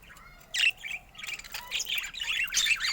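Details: Captive budgerigars of varied colour mutations: a burst of bright chirps followed by continuous scratchy warbling and twittering notes, overlapping calls from several birds.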